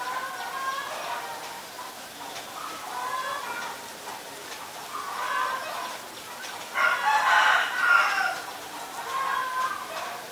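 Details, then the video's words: A male and a female Asian koel calling: mid-pitched hooting notes repeat every couple of seconds, broken by a louder, harsher, bubbling burst partway through. "นกกาเหว่าตัวผู้และตัวเมีย (Asian koel, Male, Female)"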